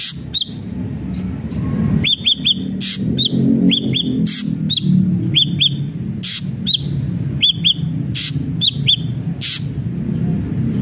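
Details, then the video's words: An ashy drongo gives paired upswept whistled notes repeated at irregular intervals, mixed with loud crackling broadband bursts, against a fairly strong low rumbling background. "srigunting abu abu gacor"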